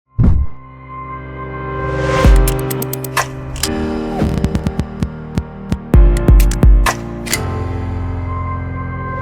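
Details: Music with a steady low throbbing hum, sharp percussive hits and sustained synthesizer tones; no animal voices are heard.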